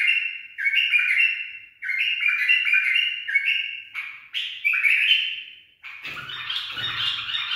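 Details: Pet bulbul, tutored in a barwaz phrase, delivers a near-continuous run of warbled, overlapping whistles, then a broken, buzzier flourish near the end over a faint low hum.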